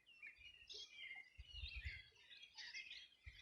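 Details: Birds singing at dawn-time on a summer morning in 2020 along the Bueno River in Chile's Los Ríos Region; many voices overlap in busy high twittering and trills, with soft low rumbles of wind or handling.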